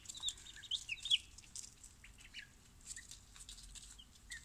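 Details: Chicks from a mixed barnyard assortment, picked up from the post office at dawn on arrival day, giving scattered high thin peeps, a few louder chirps at first then sparser calls, over rustling and flapping noises.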